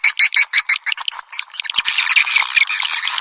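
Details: Swiftlet call sound in a piezo version, made to call swiftlets: quick series of high chirps, then denser overlapping twittering, all high-pitched.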